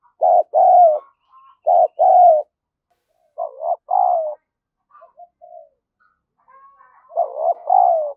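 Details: Lure spotted dove calling and cooing to provoke wild doves: paired low coos broken by gaps, with softer, quieter murmured coos in between before a stronger double coo at the end.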